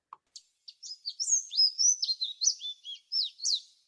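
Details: Canada Warbler song: a quick, high jumble of clear, smooth, slurred notes, opening with a few separate chips before running into a varied warble.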